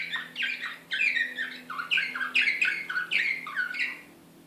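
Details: Serbian slavujar-style canary song from Belgrade, 2016, in an agitated, excited mood: a rapid run of rolling, descending chirped notes repeated several times a second, with a faint low hum underneath.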